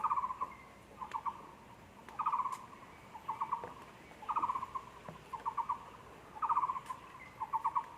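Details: Taiwan barbet recorded in a zoo, 24 February 2020, delivering a steady series of rapid hollow rattled phrases about every second, with occasional faint clicks and soft background noise.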